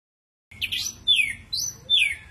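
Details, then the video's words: Ashy drongo singing in the harsh 'tembakan kasar' style: three loud phrases of slurred whistles, each sliding down steeply from high to mid pitch, about half a second apart, with a faint low hum beneath. "Tembakan Kasar Srigunting Abuabu"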